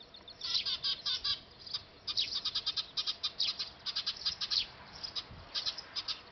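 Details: Eurasian tree sparrow calling at a nest built on a factory roof in Japan: clusters of harsh, high chirps delivered in rapid runs, several per second, broken by brief silences.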